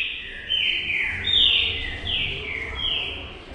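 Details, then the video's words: Green-winged saltator (trinca-ferro) song heard over a noisy background: a run of loud whistled notes sliding down in pitch, several phrases in quick succession, with low rumbling noise underneath. "TRINCA FERRO SADRAQUE FOGUEIA O SEU COM CANTO"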